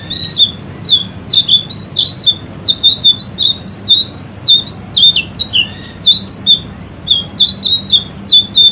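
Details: Training recording for caged birds of a white-rumped shama in full song: dense runs of high chips and brief whistles, tightly repeated, with a few lower slurred notes and a faint low hum.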